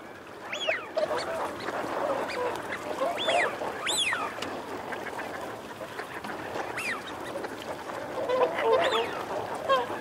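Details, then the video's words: Male and female Eurasian wigeon calling, with females also growling: loud rising-then-falling whistles recur every few seconds, five or so in all, over a steady murmur of lower flock voices. "Wigeon. Calls Cu-Mcu From Males, Females Also 'Growling' Mcu-Cu, Calls From Whoop"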